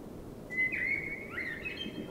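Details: Common blackbird in spring at night, delivering a clear whistled phrase of level and slurred notes followed by a softer warbling tail, against constant low-pitched background noise.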